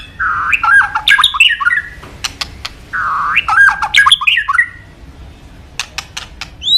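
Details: Kept white-rumped shama, a favourite of songbird hobbyists, repeating a rich phrase twice: a low mellow whistle followed by jumbled squawky and fluty notes, then scattered sharp clicks and a final rising whistle.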